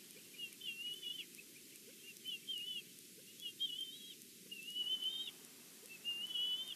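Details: Wild bald eagle calling at the Big Bear nest on a live camera, an angry bird present: spaced high whistled phrases, each a thin, slightly wavering piping note, repeated roughly every second, above a soft hissing background.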